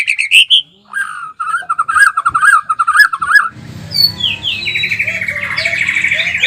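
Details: White-rumped shama in lively song: clear whistled notes, then a fast run of repeated warbling phrases, followed by a long rising and wavering trill with a low background hum.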